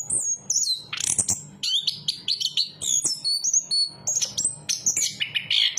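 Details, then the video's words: Singing chestnut-capped thrush from Southeast Asian forests: a bright sequence of sharp high whistles, short trills and clipped notes, pitch jumping up and down between phrases, with a faint constant low hum behind. "Burung Anis kembang berkicau"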